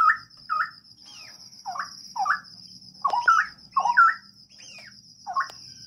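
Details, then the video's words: Straw-headed bulbul in a breeding aviary: loud, rich warbling phrases of short, looping, liquid notes around the middle range, delivered in bursts roughly every half second, with a steady high electrical hum behind. "Penangkaran Ternak Burung Cucak Rowo"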